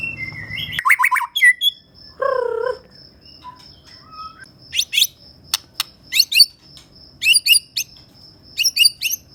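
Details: ['Vigorous song from a Medan-type white-rumped shama: stuttering whistled notes, a low warbled phrase, and single soft whistles. These are followed by spaced bursts of sharp, high clicking chips in a quiet setting.']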